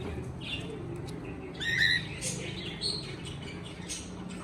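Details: Cockatiel chirping: one strong rising whistled call near the middle, preceded by a soft fainter note and followed by brief scratchy chirps, over a low background hum.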